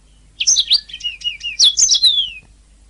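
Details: Canary song used as a master recording for training songbirds: a rapid run of high whistled notes sweeping down and rising again, with trilled phrases and short gliding slurs, on a clean quiet background.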